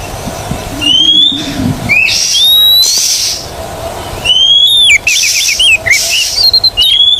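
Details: Oriental magpie-robin song from a training recording to get non-singing birds to sing: bright whistles that rise and slur, then quick rippling trills of short notes, broken by recurring bursts of hiss.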